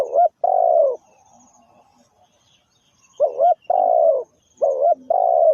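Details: Loud repeated cooing of a spotted dove used as a trapping lure: doubled short coos each followed by a long purring falling coo, phrases separated by about two seconds of near silence with faint twitters.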